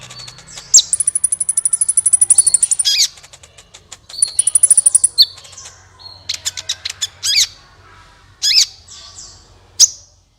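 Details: Sunbird singing as a lure for other birds: long, even, very high rapid trills lasting about two seconds each, then scattered sharp downslurred chips and squeaks, with quiet gaps.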